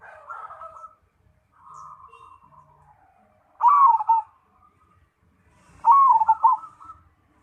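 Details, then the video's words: Perkutut Cemani zebra dove in full song: softer drawn-out cooing phrases, then two loud vibrating coos about two seconds apart, each breaking into a quick stutter before fading. Faint low rumbling sits in the background. "Perkutut Cemani Gacor"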